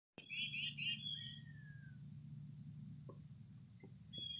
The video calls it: Chickadee bird